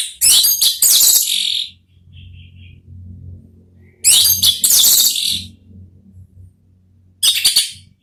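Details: Orange-headed thrush singing in the 'ngeplong' style, used as a therapy song to lure other thrushes into answering; two loud, dense bursts of high chattering, whistled phrases separated by quiet gaps, then a brief third burst, with a low hum underneath.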